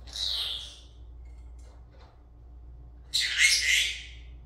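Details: Two rasping squawks from a pet Senegal parrot while it talks and dances. One comes at the start, then a louder, longer, harsher burst after three seconds of near silence, with a faint background hum.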